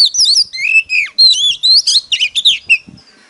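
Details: Fast competitive singing from an Oriental magpie-robin lure bird: rich, swooping whistles mixed with scratchy notes, delivered in quick succession, then fading to a few soft thin notes.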